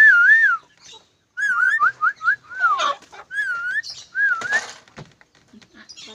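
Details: A clever pet lorikeet whistling: clear, wavering whistled phrases that dip and rise in loops, repeated about six times with short gaps, plus a brief burst of quick notes and some faint rustling.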